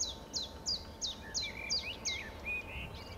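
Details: Common chiffchaff: a quick run of about eight short, bright notes sliding downward, spaced about a third of a second apart. Lower warbled notes follow, over a faint steady hum and soft background noise.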